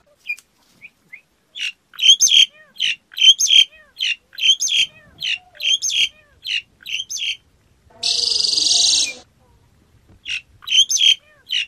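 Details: Black-collared starling singing: harsh, squawky, rapidly repeated notes with whistled edges, in bursts of paired phrases, broken near the end by a second of loud hissing rasp before the squawky phrases resume.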